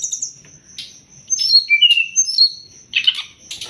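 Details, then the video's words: Sumatran leafbird master song used to train songbirds, with short high whistled slurs and bright chips in bursts between pauses, a steady thin high tone running throughout. "Masteran burung SRDC biar cepat gacor"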